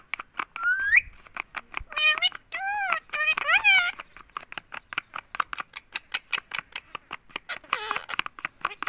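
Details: Green ringneck parrot kept as a pet in India saying "mummy" over and over; a burst of wavy, voice-like syllables in the middle, then a long train of rapid dry clicks and one final short utterance.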